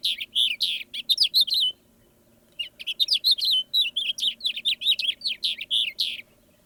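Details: House Finch song, part of a review of common birds of Saint Joseph and Elkhart County, Indiana: two fast runs of high warbled and buzzy slurred notes, undulating up and down, separated by a pause of nearly a second.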